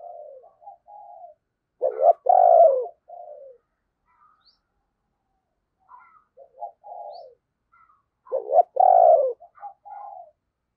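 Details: Decoy spotted dove cooing to call in wild doves, with 'thúc' and crowing-style calls; two similar phrases about six seconds apart, each with soft lead-in coos, a loud throaty burst, then softer trailing notes.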